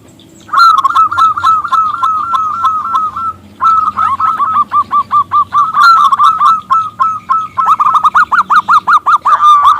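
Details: Local zebra dove with a loud, clear voice, calling to urge a male to sing: a long run of quick, short, bouncing cooing notes, steady in pitch, with a brief pause and then a faster, more emphatic series.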